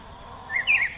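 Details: Oriental magpie-robin singing in the wild: a brief song phrase of two clear, mid-high whistled notes, the second slightly higher and louder, over faint background hiss.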